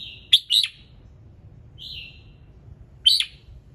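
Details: Morning song of a red-whiskered bulbul with many notes, to spur other birds into song: a quick pair of loud sharp whistled chirps, a softer slurred whistle, then another emphatic chirp.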